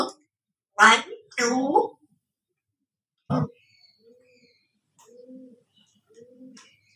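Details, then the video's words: Cherry, a 4-year-old female Congo African grey parrot, counting: clear, human-like words in two quick phrases and a short syllable, then soft, low whistled notes spaced about a second apart. "Best Talking Parrot"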